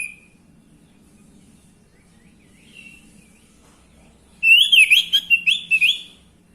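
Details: Orange-headed thrush song used to make males sing: near silence with a faint note, then a rapid burst of about seven loud, varied whistled and warbled notes.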